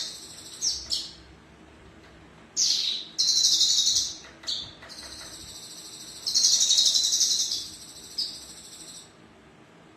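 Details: Caged male Javan bush lark singing while perched at ease, kept by an Indonesian songbird keeper. Very high, buzzy, rapid trills come in bursts of one to two seconds, separated by short sharp notes and brief pauses.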